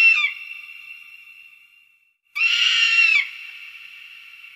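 An eagle gives two harsh, high-pitched screams, a brief one and then a longer, raspy one, each fading into a lingering echo.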